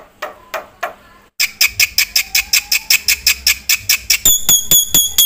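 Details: Black-winged myna, a chattering singer with fill-ins. A few soft low notes are followed by a brisk run of sharp, ringing, repeated harsh notes, ending in higher, thinner metallic strokes.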